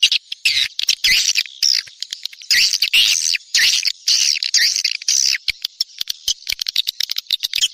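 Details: Swiftlets' lure call, the Neptunus version played in the rainy season to attract the birds: stop-start bursts of shrill, buzzy chattering separated by short gaps, ending in rapid scattered clicks.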